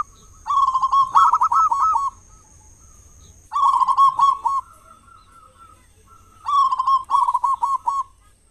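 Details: Zebra dove of local stock with a big voice, played as a lure for other doves at morning and evening: three bursts of rapid, rolling coos, each about one and a half seconds long, repeated roughly every three seconds.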